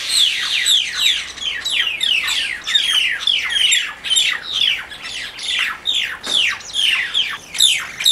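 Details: Fighting mynas give a rapid run of harsh descending squawks, about two per second, overlapping and loud throughout, with no other clear sounds.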